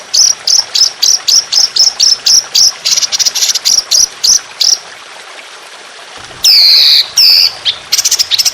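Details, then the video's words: Trotolan song from a songbird training recording with trickling water, described as fierce with long, harsh, sustained shooting phrases: rapid bursts of high, sharp repeated notes, then a pause and loud rising slurred whistles. "Masteran Burung Trotolan Jahat Tembakan Panjang Kasar Ngedur"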